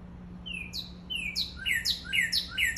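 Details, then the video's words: A cardinal in Maui, Hawaii gives a quickening run of bright, clear slurred whistles, about eight notes in under three seconds, over a faint low hum. "Cardinal Call"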